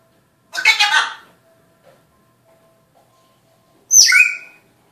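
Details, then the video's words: African grey parrot speaking Spanish: a broad, harsh voice-like burst near the start, quiet pause, then a sharp upward-sweeping whistled squawk with falling tail; faint steady hum underneath. "Pepito the spanish talking AFRICAN GREY parrot"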